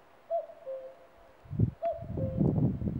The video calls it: кукушка кукует